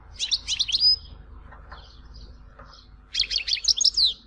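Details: Tizi Ouzou goldfinch song: a short burst of rapid twittering notes, a quieter murmuring stretch, then another lively phrase of sharp chirps and downslurred whistles.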